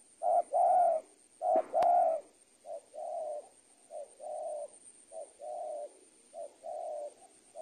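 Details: Spotted dove coos used as tutoring audio for training birds: two loud short-long pairs with a sharp click, then a softer series of similar coos at a steady pace.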